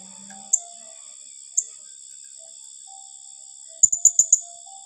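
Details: High shrill calls of a blue-crowned hanging parrot in 'tembakan rapat' style: two isolated sharp notes a second apart, then a fast run of four piercing chips, with a continuous high-pitched insect hum behind.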